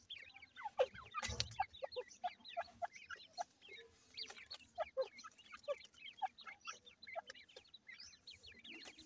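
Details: Grey francolin chicks at a feed keep up a steady twittering of brief high chirps, with louder squeaks standing out roughly every half second and a sharp thump near the start.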